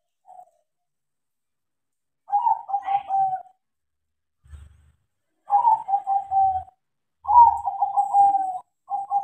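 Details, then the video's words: Crossbred zebra dove (perkutut), trained to sing, singing actively: three rolling cooing phrases, each a low purring trill around a steady pitch lasting about a second, separated by pauses; faint low thumps between phrases. "PERKUTUT CROSSING GACOR KARENA DIAJARI"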